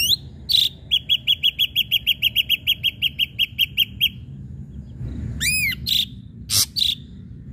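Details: Singing ashy drongo, used to provoke rival birds into song: a long rapid string of about twenty clipped piping notes, then ringing rising whistles, a harsh rasp and a final short whistle.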